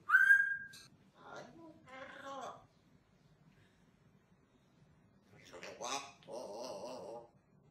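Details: Hand-reared Grey parrot speaking Spanish, known for swearing and counting: a bright whistle with stacked overtones opens, followed by word-like babbling phrases, a silent pause, then another burst of speech-like syllables.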